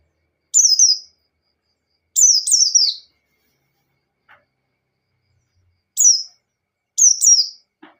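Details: White-eye in ngalas-style song meant to lure a rival into singing with open beak: high, thin, fast-falling twittering bursts, some paired back to back, separated by pauses of one to three seconds, clean background.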